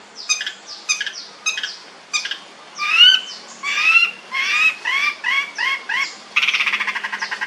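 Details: Long-tailed shrike, called a fierce cendet with a rich voice: spaced chip notes give way to rising, slurred, nasal whistles, then a harsh rapid rasping rattle at the end.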